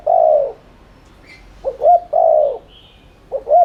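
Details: Spotted dove cooing, used as a lure to stimulate cooing; low hoarse phrases of two short rising notes and a long falling coo, repeated roughly every two seconds, with faint high chirps from other birds.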